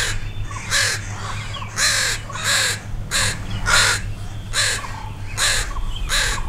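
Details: Crows cawing in alarm as a dog wanders near two juvenile crows learning to fly; harsh, broadband caws come in bursts about every second, over a steady low hum.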